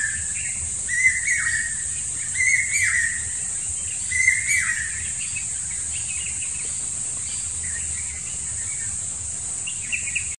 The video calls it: Common Hawk-Cuckoo Call// পাইয়া কল